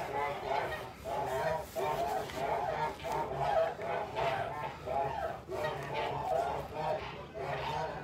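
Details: A flock of Kholmogory geese at a farm, recorded 29 March 2021: continuous layered nasal honking and cackling in pulsing bursts about twice a second, many birds calling at once without pause.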